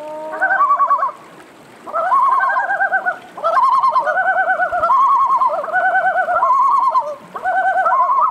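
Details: A Yellow-billed Loon at Toolik Lake in June 2021 gives loud, quavering wails with a rapid wobbling tremolo, in long phrases broken by short pauses. Little else is heard.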